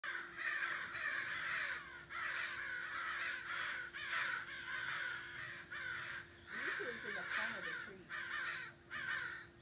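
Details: A murder of crows up in arms one morning, probably mobbing a red-tailed hawk that stayed hidden: many harsh, overlapping caws in rapid bursts, continuous and agitated, with a steady low hum and a brief human voice at the end.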